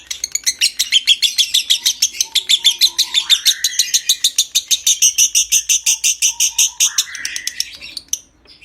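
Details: Lovebird performing an extended ngekek trill intended to bring on breeding condition: a steady rapid series of harsh, buzzy chirps lasting about eight seconds, ending abruptly with a short squeak.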